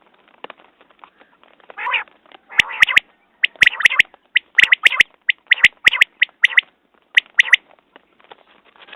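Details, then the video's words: Quail call series, common quail. Faint ticks lead in to a nasal note, then bursts of sharp doubled notes come in a steady rhythm for several seconds before fading to soft ticks. "Batair Ki Awaz New Quail sounds 2019"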